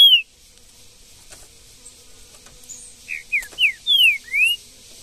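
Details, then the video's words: Green-winged saltator in the woods: one sharp whistle, a pause, then a phrase of five ringing whistled notes, some falling and the last rising, spaced about a third of a second apart. "MUITA FIBRA trinca ferro no mato"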